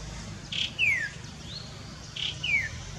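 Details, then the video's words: A Chestnut-capped babbler calls twice. Each call is a short burst note followed by a clear, falling whistled slur, about one and a half seconds apart. "Chestnut-Capped Babbler Call"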